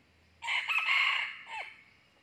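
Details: Red junglefowl crowing during wild junglefowl trapping, where a decoy rooster lures and fights a wild young male: one loud, harsh, strongly harmonic crow of about a second, ending in a brief lower falling note, over a quiet background.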